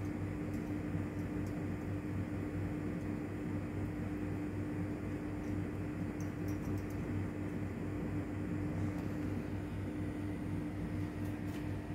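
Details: A steady mechanical hum and low drone, like a fan or engine, with a few faint clicks and no clear animal voice.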